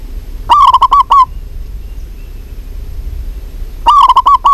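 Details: Zebra dove of a local strain, singing actively. Two bursts of rapid, staccato cooing notes are separated by about three seconds of quiet. Each burst is a short run of hollow, level-pitched notes.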